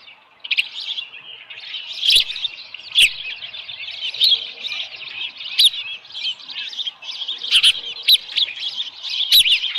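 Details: At the Dunrovin Ranch osprey nest, morning of 13 July 2018, about 7:10 AM, a small live fish present: shrill chirping calls repeated in quick bursts for most of the clip, with occasional sharp knocks from the nest.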